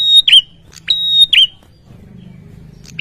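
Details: Ashy tailorbird excited by a lure sound, giving two sharp, high whistles, each with a hooked downward end. A faint low hum follows, then the start of another note.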